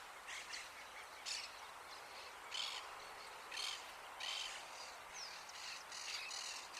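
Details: Rufous hornero in an urban setting in Uruguay giving shrill, chattering bursts of high notes, roughly one burst every second, over faint outdoor background noise.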